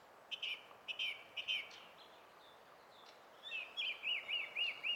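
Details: Song thrush in full song, 20 April 2016: a clipped phrase repeated three times, a pause, then a fast series of looping, wavering whistles.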